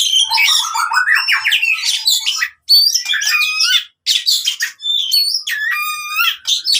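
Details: Loud fighting song of an oriental magpie-robin, used for training birds that stopped singing: dense bursts of harsh chattering, rising trills and stacked whistled notes, separated by two brief pauses.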